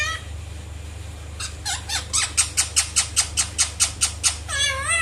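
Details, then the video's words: Indian ringneck parrot giving a fast run of harsh, piercing squawks, roughly three per second, ending in a wavering harmonic trill; a constant low hum runs in the background. "natural sound of Indian ringneck parrot"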